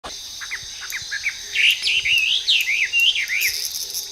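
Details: Chinese hwamei singing in the wild: after soft scattered notes, a loud run of rich, slurred, warbling whistles rises and falls rapidly for several seconds over a steady high insect drone.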